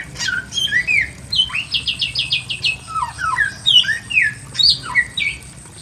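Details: From a simple aviary, a Pekin robin sings fast rhythmic trills of repeated sharp notes, followed by clear swooping whistles dropping and rising, with a faint low hum underneath.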